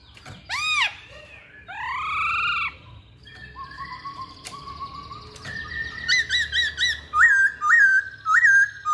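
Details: Masked laughingthrush with arched squawky notes and a long level whistle, building into a rhythmic series of sharp repeated whistled phrases about two per second.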